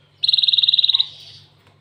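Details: Single short canary-like trill from a cinereous tit: rapid pulsed notes at a steady high pitch for under a second, fading into a softer tail.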